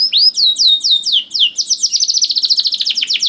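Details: Canary song for coaxing young canaries to sing, starting with slow looping whistled notes that speed into a rapid pulsing trill.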